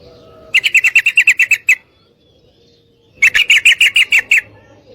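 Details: Female yellow-vented bulbul calling a male to mate with two rapid chattering bursts, each around ten scratchy notes delivered quickly and evenly, separated by roughly a second and a half of near silence.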